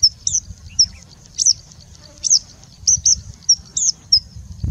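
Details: Singing bushlark delivering sparse high whistled notes, short upturned or down-slurred, about two per second with gaps between, over a quiet low background.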